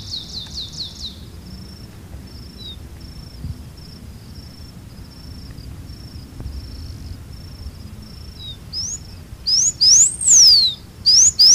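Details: Blue finch (campainha-azul, Porphyrospiza caerulescens). A long, thin, steady high tone fills most of the recording, with a brief quick trill at the start. Near the end come a few loud, high whistled notes that arch up and down.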